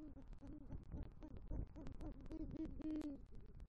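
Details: Male great horned owl calling for the female at a southwest Florida nest tree after delivering rodent prey, November night: a rapid series of soft low hoots ending in one longer, louder hoot.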